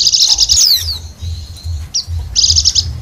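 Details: High, rapid, rattling twitter from a wild Bali white-eye, used as a lure, opening with a quick trill and sweeping downslurs, a thin whistle, then another fast trill, over a soft low hum.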